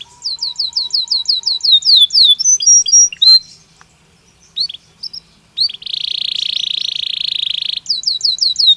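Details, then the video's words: Singing Belgian canary, natural song for daily training: fast falling whistle series, scattered short notes and a pause, then a long steady buzzing trill and a return of the falling whistles. "Som de 1 Hora com Canario Belga Cantando Naturalmente"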